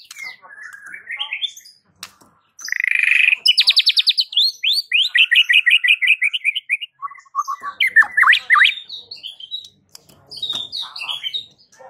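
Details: White-rumped shama song with a unique sound said to set village shamas answering: rich varied phrases of rapid rising whistled notes in fast trills, buzzy slurs and sharp chirps, repeated over a dozen seconds.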